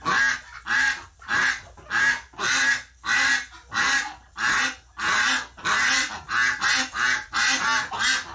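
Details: Ducks upset after a flock member's death in the hospital, recorded November 30, 2018: evenly spaced, loud, buzzy quacks, about thirteen in eight seconds, each a harsh nasal blast with brief gaps.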